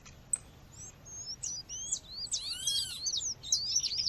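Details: Female seedeater calling to warm up males, with natural surroundings: scattered thin high whistles build into a busier run of sharp slurred chirps, broken midway by a ringing layered note.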